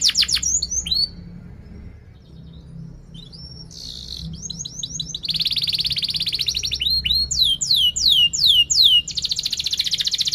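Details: A canary's lively song with 'cuit cuit' notes and sharp rolling trills, played to teach young canaries: opening falling whistles, a short pause, then dense buzzy high trills alternating with loud down-slurred sweeps.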